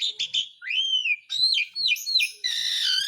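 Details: Asian pied starling, a lure recording played to get lazy or silent caged birds singing again within a week; varied whistled and harsh notes, slurred rising and falling whistles, then a buzzy rasping phrase at the end.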